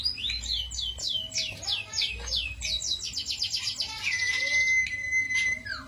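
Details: Cito bird song for training songbirds as a lure or master: a rapid cascade of descending high notes forming a rattling trill, ending in a long, level whistle.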